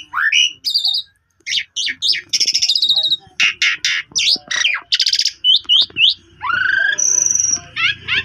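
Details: Asian pied starling song used as a lure to coax a sulking, silent starling into singing again: a lively medley of rising whistles, buzzy rattling bursts and sharp chirps in quick succession, with a steady whistled note near the end.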